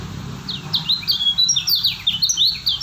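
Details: High, bright twitter from a Lombok white-eye (kecial kuning), noted as a stable singer; quick downward-slurred chirps build into a dense, jumbled phrase over about two seconds, with a low rumble underneath.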